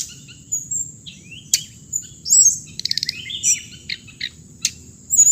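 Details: Song of the bird known in Vietnamese as hồng hạnh (Hmong: noog txiv leev lau): varied high chirps, short whistled slurs and rapid trill bursts at irregular intervals, over a steady thin high-pitched hiss and low background rumble.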